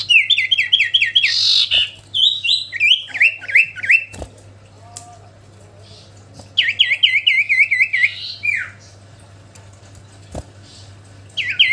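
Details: Common iora in energetic song: repeated bursts of fast, bright chirped notes in rolling series, with a short pause after each bout and brief varied phrases between them, over a steady faint low hum.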